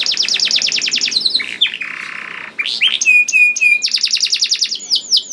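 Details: Canary lure song to get other canaries singing: fast rattling trill, a low buzzy roll, then pure flat whistles and another rapid trill with sweeping notes.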